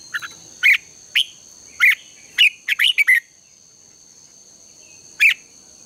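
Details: Morning contest song of the red-whiskered bulbul, a lure for training birds to sing: crisp separate chirped notes at roughly half-second gaps, a tight cluster of three, then a pause and one final note, with a steady high hum.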